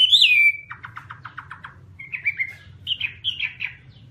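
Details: Chinese hwamei opening with a loud slurred whistle, followed by about seven short clipped notes in quick even succession, then a few brief whistled phrases, softer toward the end; low hum throughout.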